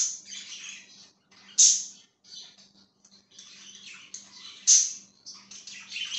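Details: Budgie chirping with broken bursts of scratchy chatter and two loud piercing squeaks, separated by short quiet gaps, over a faint indoor hum.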